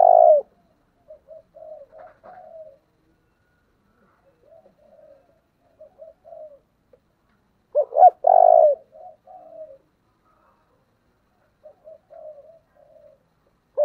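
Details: Spotted dove singing in the 'giọng thổ' voice style, driven to fiery, intense calling: loud low coos alternate with softer clipped notes, two strong phrases about eight seconds apart, with quiet gaps between.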